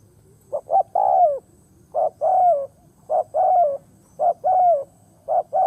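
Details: Decoy spotted dove on the ground, singing to excite and lure wild doves; five quick phrases of one or two short hoots followed by a drawn-out, descending coo, delivered almost back to back.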